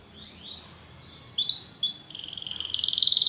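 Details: A Belgian canary sings: a couple of short rising whistled notes, then two bright clipped phrases, breaking into a fast, loud, buzzy high trill that swells toward the end.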